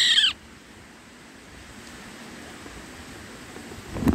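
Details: An Indian roller chick in the nest calling to its parents, who feed it: a short, harsh, rasping call, a pause, then a second brief rough note; faint background hiss in between.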